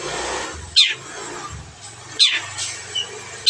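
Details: Long-tailed shrike kept as a cage bird, three loud harsh descending notes spaced more than a second apart, with a faint whistle between them and a low background hum.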